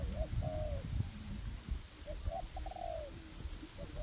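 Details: Spotted dove decoy birds, two working together in a forest, one raised and one on the ground, cooing to lure wild doves for trapping; short low hooting coos in paired phrases over steady low rumble.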